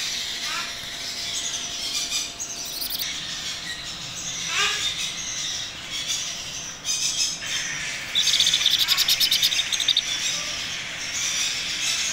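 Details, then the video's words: Macaw chick during feeding, making scattered raspy squawks and short squeals, ending in a rapid, buzzy, stuttering series of harsh pulses. "Macaw Baby Parrot Feeding Time"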